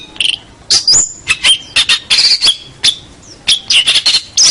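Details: Prize-winning local long-tailed shrike in master song: dense harsh rasps and chatters broken by clear thin whistles, some steady and some sliding, loud throughout.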